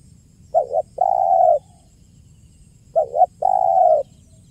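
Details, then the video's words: Spotted dove giving clear, lively 'kuk 1' style coos meant for luring and trapping: two short paired notes, then one long, steady, mellow coo, heard twice over a faint low hum. "SUARA JERNIH BURUNG TEKUKUR KUK 1 GACOR PALING AMPUH UNTUK PIKAT DAN PANCINGAN"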